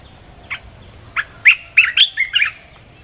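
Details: Red-whiskered bulbul song played to lure wild birds: after a lone short note, a quick run of bright, chirpy, slurred whistles rising and falling, about six notes in just over a second, over a quiet background.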